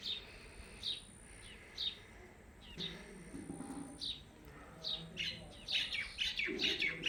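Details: Pet blue Indian ringneck parakeet making its natural calls: scattered high chirps that quicken into a dense run of sharp notes near the end, over faint background voices.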